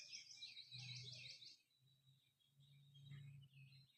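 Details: A black francolin (kala teetar) near Sukkur, Pakistan, gives a harsh, grating burst of rapid scratchy notes lasting about a second and a half, over a steady low rumble and faint chirps.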